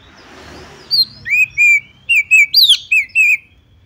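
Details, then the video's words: Calling female Oriental magpie-robin, whose notes are meant to get other magpie-robins singing loudly: after a brief hiss, eight crisp whistled notes, slurred down and level, one louder rising-falling note midway. "Memanggil Kacer lain Agar ikutan GACOR dan NJERIT \\ KACER BETINA"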